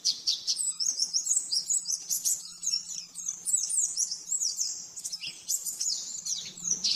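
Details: Master song of an oriental white-eye in the rapid 'nembak-nembak' style, used to train caged birds: energetic high-pitched chatter of quick slurred notes and trills, with a few brief dips in loudness; constant faint low hum.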